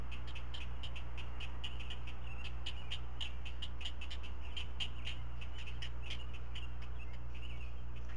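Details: Four Great Blue Heron chicks at a Chesapeake nest camera, 16 May 2017, being fed breakfast as a parent regurgitates fish one at a time; rapid dry clicking pulses, about three a second, over a steady low hum.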